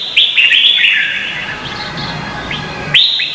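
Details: Short burst of red-whiskered bulbul contest song from Vietnam, used to train birds. A quick run of chirpy whistled notes fades into softer twittering, then one sharp rising whistle ends it.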